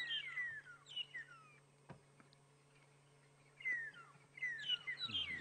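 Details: Two flocks of magpie (long-tailed) shrikes in winter thicket, likely a territorial dispute at a boundary, trade bursts of clear, falling whistled notes, several birds calling together over a steady low engine hum.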